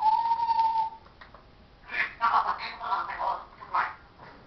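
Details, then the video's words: Pet parrot opens with a steady, level whistle held for about a second, then after a short gap launches into a quick jumble of mimicked speech syllables. "parrots says hello darling show us your"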